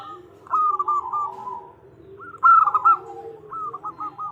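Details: Zebra dove female calling to the male: three short bursts of rapid staccato cooing, each opening with a brighter note and trailing off, over a faint low rumble.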